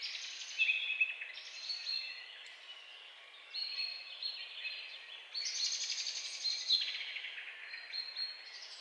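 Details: Lively European goldfinch song, a dense, tinkling jumble of fast high twitters and buzzy trills rising and falling in bursts, briefly quieter in the middle, with faint background hiss.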